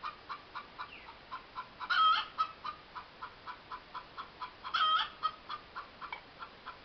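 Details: A hen clucks loudly in a yard, rapid short clucks in an even series punctuated by two prolonged, harsh cackling outbursts a few seconds apart, then the steady clucking resumes.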